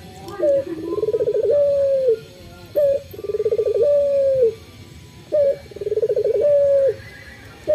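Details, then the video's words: Male puter (Barbary dove), a local bird singing vigorously in the morning. Three phrases repeat roughly every two and a half seconds. Each has a brief high coo, a bubbling rolled trill and a held note that falls at the end. "SUARA BURUNG PUTER LOKAL JANTAN GACOR PAGI HARI"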